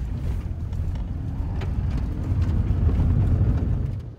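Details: A deep vehicle rumble swells and fades, with no animal calls present.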